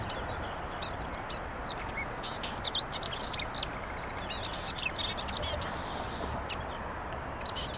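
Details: A marsh warbler by the Vistula on 23 May 2022 sings a quick, varied run of high chirps, sharp ticks and short whistled notes over steady rushing background noise.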